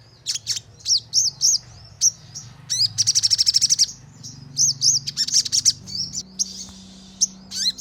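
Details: Crimson sunbird song played as a lure so birds respond and sing actively. Varied high chips, arched squeaky notes and one dense burst of rapid ticking mid-phrase, with a steady low background hum.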